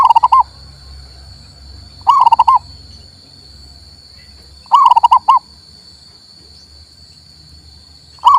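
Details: A male local zebra dove, recorded to stir a silent dove into song, repeats short bubbly coo phrases of several clipped notes roughly every two and a half seconds, with a constant faint whine underneath.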